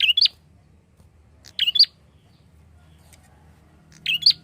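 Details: Lure recording of a prinia calling: three bursts of shrill, high, two-part squeaky chirps, widely spaced, with a low murmuring hum in the background.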